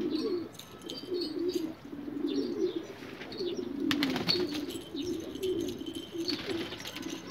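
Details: Rare pigeons of a breed called Australian, cooing in low, rolling, throaty phrases that overlap throughout, with faint higher chirps and a short burst of sharp clicks near the middle.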